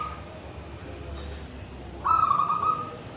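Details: Local wild-type zebra dove from Tulungagung singing actively in the crystal and ulem voice styles: one rolling, trilled coo phrase of just under a second near the end, over a low steady background hum.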